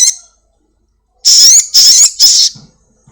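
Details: Black-winged myna, a house-kept bird, in a lure recording meant to make a caged bird sing quickly: three loud, harsh, high whistled bursts in quick succession, each with a wavering rising tone, after a brief opening note.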